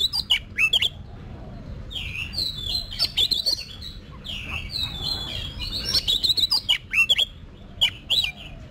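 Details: Oriental magpie-robin trained for singing competitions delivers varied whistled phrases, some sweeping and warbled, interspersed with repeated sharp clicking notes.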